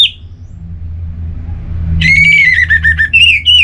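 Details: Orange-headed thrush (Geokichla citrina), likely a captive bird used as a lure or therapy sound for thrushes that are off form, gives a brief burst, then a rich, varied phrase of slurred whistles and quick warbled notes over a low rumble of traffic.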